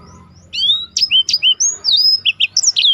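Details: Black-throated canary singing for use as a contest-bird tutor: after a brief lead-in, a fast chain of clear whistles sweeping up and down, then short clipped notes closing the phrase.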